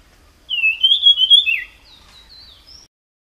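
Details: Jungle flycatcher singing in the wild, a single clear whistled phrase wavering up and down before a brief dip, followed by a few faint, thin high notes, in an otherwise quiet setting.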